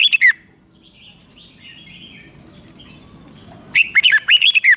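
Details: Thai Red-whiskered bulbul, five-syllable doubled song: the tail of one phrase opens, then a long quiet gap with faint chirping, followed by a full phrase of about eight rapid, bright, up-and-down whistles.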